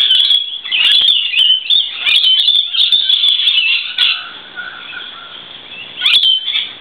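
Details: Lorikeets sheltering from rain on a verandah on a wet day chatter in shrill, screechy bursts, several birds overlapping for about four seconds, then a pause with a softer warble before another harsh outburst; a male displays to a female.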